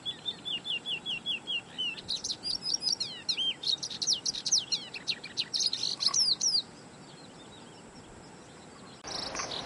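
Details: Oriental skylark recorded at Zhushan, 23–24 May 2011, delivering rapid high twittering: descending slurred notes, then buzzy trills and sweeping whistles, stopping abruptly after about six and a half seconds into quiet, with a brief noise near the end.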